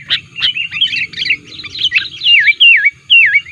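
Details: Sooty-headed bulbul in full voice, recorded to lure wild bulbuls: an opening chip, then jumbled twittering giving way to clear, repeated swooping whistles that dip and rise again.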